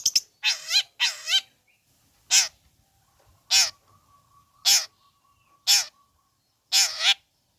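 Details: Long-tailed shrike calling to goad other shrikes: loud, nasal, grating squawks, some doubled, repeated at uneven gaps of about a second.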